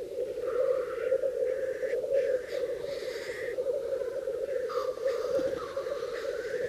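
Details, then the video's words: Male black grouse display together in early spring at a lek in Bažu bog, Slitere National Park, where 66 cocks were once counted. A steady, low bubbling chorus runs throughout, with a few thin rising whistles above it. "The Black Grouses dancing"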